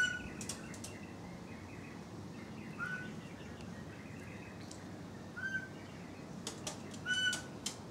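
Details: A pied butcherbird at a backyard feeding session gives pure, recorder-like, slightly rising whistled notes every two to three seconds, which it makes when it wants meat thrown to it. Background rustling and faint chirps of other birds accompany it.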